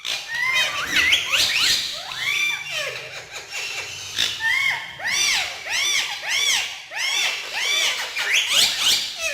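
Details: Three pet male ringneck parakeets playing on house stairs: a steady chorus of screechy, arched chattering calls with strong overtones, repeated in overlapping bursts throughout.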